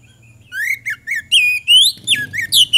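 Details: Magpie-robin singing as a lure to draw responses from other birds, with a rapid string of whistled upslurs, sweeping notes and harsher buzzy phrases, a low hum underneath.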